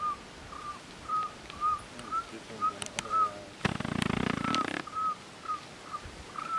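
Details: Nominate Cuban trogon singing in Alejandro de Humboldt National Park, Cuba, 24 February 2017: a steady run of brief, clear whistled notes on an even pitch, roughly two per second, broken midway by a burst of harsh broadband noise.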